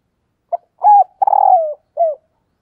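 A female spotted dove gives soft, mellow coos to attract males, the third note drawn out and falling.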